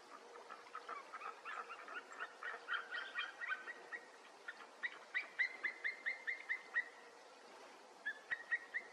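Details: A White-tailed eagle by a Mazovian river in Poland in sunny weather gives a rapid series of sharp yelping notes, several per second in bursts, with a fainter second bird calling alongside.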